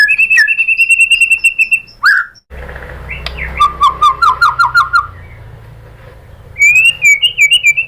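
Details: Lure song from a white-rumped shama, used to spark singing: a long level whistle, a swooping note, a soft low rumble under a brief rattle of repeated notes, then a lively warbled phrase.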